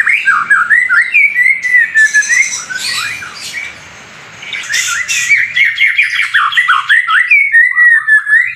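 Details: White-rumped shama delivering hard-hitting fighter-style song: fast, choppy whistled notes alternate with buzzy, rasping bursts, a short lull midway, then a rapid stream of clipped notes.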